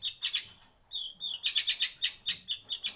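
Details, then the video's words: In a breeding aviary, a white-rumped shama gives a brief burst of fast, high, chattering notes broken by short whistled slurs, sounding busy and rhythmic. "Kicau Murai Batu"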